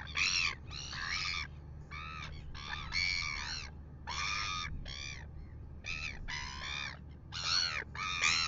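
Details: Red-billed gulls calling at 6:27 AM near a royal albatross they are annoying, on a live nest camera in Dunedin, New Zealand: loud harsh squawks in quick bursts, often in runs of several, with a low steady rumble beneath.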